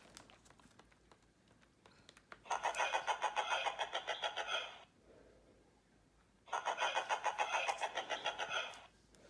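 A spoonbill gives two bursts of rapid, raspy pulsed grunting, each about two seconds long, with a quiet room hum between them.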